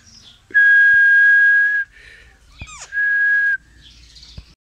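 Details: Captive Indian ringneck parakeet: a long flat whistle, a sharp falling chirp, a second shorter whistle, then soft raspy chatter.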